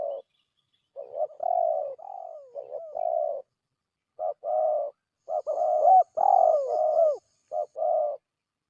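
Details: Spotted dove lure recording for drawing wild doves, loud and clear: a phrase of low hoarse coos with a downward glide, a pause, then a denser run of short, falling and hooked coos.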